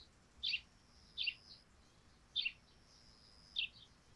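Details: Sparrows at morning on a dewy thatched roof: four crisp chirps, fairly evenly spaced about one second apart, each short and bright, over a soft continuous high hum.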